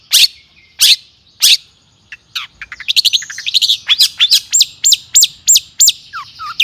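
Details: Long-tailed shrike singing in an agitated, excited mood, used as a lure to provoke other shrikes into singing: three harsh broadband bursts, then a fast run of sharp chirps and repeated high hooked notes, closing with two lower slurred whistles.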